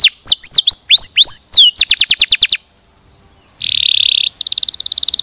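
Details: Training song of a canary for teaching other canaries: swooping hooked whistles, then a quick descending trill, a short pause, and finally a harsh rattling buzz and a fast high trill.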